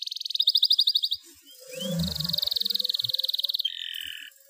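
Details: Canary in breeding condition singing to provoke quiet canaries and excite hens: high rapid rolling trill, short break with faint low noises, then a long steady pulsed roll sliding into a lower double-toned trill.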